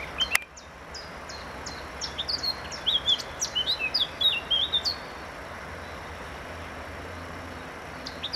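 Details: Eurasian blackcap song: after a short pause, a three-second burst of rapid chattering notes that turns into richer, whistled warbling, then quiet with only a soft outdoor hiss for the rest.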